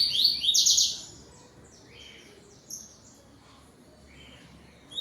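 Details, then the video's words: Yellow-billed double-collared seedeater (coleiro bico amarelo) at home at 17:31 on 12 November 2025 as dusk falls, singing toward another bird: a loud burst of bright, rapid, high twittering, then softer scattered chirps over a faint hum. "COLEIRO TUI TUI"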